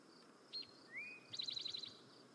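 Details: Eastern Towhee, a common year-round resident often near feeders and shrubs, sings its song: a high short note and a lower slurred rising note, then a fast bright rattling trill, over faint background hiss.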